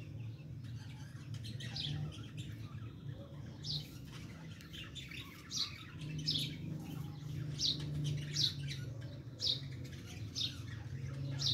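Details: Female francolin trying to fight with chicks: short sharp downward-sweeping chirps repeated every second or so, more frequent in the second half, over a steady low hum.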